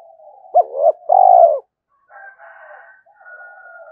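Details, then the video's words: Spotted dove cooing in the morning to challenge a wild rival: one brief phrase of two short hollow coos and a longer rolling coo, followed by faint, softer sounds. "Tiếng chim cu gáy thúc đấu với bổi buổi sáng"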